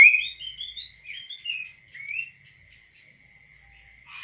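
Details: Tame kaso-kaso bird singing while perched on a hand outside a cage, kept and trained by its owner: a quick run of clear, varied, rising and falling whistled notes over a steady high background tone, then a short note at the end.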